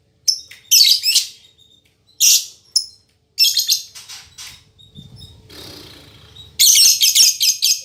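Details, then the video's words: Female fighter-type lovebird in captivity, singing like a male: loud grating chirp bursts separated by pauses, a soft fluttering rustle midway, then a long rapid buzzy chatter at the end. "Suara Burung Lovebird Betina Fighter"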